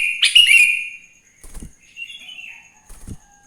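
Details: Sooty-headed bulbul singing in the morning in the wild, used as a lure to prompt other bulbuls to sing: one loud, harsh, bubbly phrase sliding down, then two faint short notes, over a steady thin high hum.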